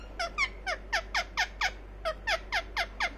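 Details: Pet ring-necked parakeet making a rapid run of sharp, descending squeaky chirps, about two per second, in a quiet indoor setting with a low steady hum.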